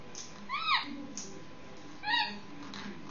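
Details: A 6-month-old Indian ringneck parakeet, making noise before sleep, gives two harsh, arched squawks about a second and a half apart, each rising then falling, over a low indoor hum.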